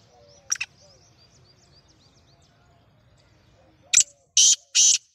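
Black francolin giving a harsh, grating call: one short note, then three loud rasping bursts in quick succession. Faint small-bird twitters are heard in the background.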